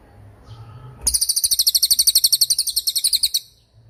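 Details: Masteran recording of a cililin bird, a sharp, long song used to tutor songbirds: a loud, piercing, very high trill of fast repeated pulses lasts over two seconds, preceded by faint background hum.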